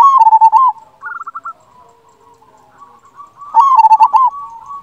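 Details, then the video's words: Local zebra dove singing with a big voice, kept as a master recording to prompt silent doves. Two strong, quavering trilled coo phrases open and close the recording; fainter rippling coos fill the gap between them. "Perkutut lokal gacor suara besar"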